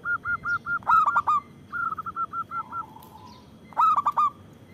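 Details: Local zebra dove with a big, lively voice, meant for luring and prompting others to sing: quick series of short hollow notes broken by stuttering cooing bursts of three to four notes.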